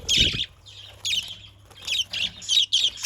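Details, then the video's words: Budgerigar lure sound made of harsh, grating chirps in quick succession, about five buzzy notes spaced roughly half a second apart after a loud opening call. "Pancingan burung parkit PALING AMPUH"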